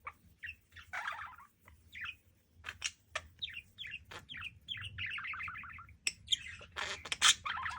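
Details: A rescued, abandoned male budgerigar of unknown age chatters in quick, scratchy chirps and warbles in breeding-season courtship; he courted three females without success and then turned to a toy turtle.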